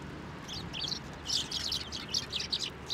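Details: Sparrows being fed on posts and by hand at a Tenmangu shrine, recorded 24 November 2023; scattered short bright chirps from several birds, loosening into quicker overlapping bursts after the first second, with a low background rumble.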